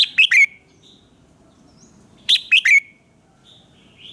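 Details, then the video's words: Red-whiskered bulbul morning training song, sung in an intense 'fiery' style: two crisp three-note phrases about two seconds apart, each with rising and falling whistled slurs, with faint soft notes between. "luyện giọng chào mào hót sáng - Hót hay nhanh lửa"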